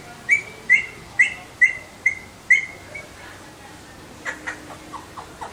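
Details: Alexandrine parakeet giving six evenly spaced, sharp chirps roughly every half second, each a short clipped note, followed by fainter, softer chirps trailing off toward the end.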